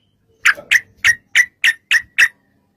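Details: Yellow-vented bulbul in 'gacor' long 'ropel' fighting-style song, used as a lure so other bulbuls reply: seven short, sharp chirped notes repeated about every quarter second, evenly spaced, in a quiet background.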